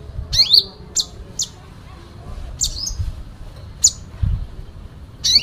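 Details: Fighting song with fill-in phrases from a sooty-headed bulbul: scattered high, sharp chirps and brief upward sweeps separated by pauses, with soft low noise in the background.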